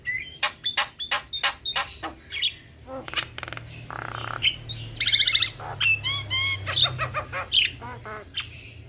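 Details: Duet of a male and female black-winged starling: a series of loud sharp clicks roughly every half second, then a harsh raspy squawk, followed by a busy mix of whistled rising notes, chatters and grating calls over a low hum.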